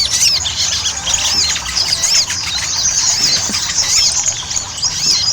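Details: Ruby-cheeked sunbird pouring out continuous song as a lure for other birds: thin, looping high notes and quick twitters overlapping in a restless, unbroken chatter.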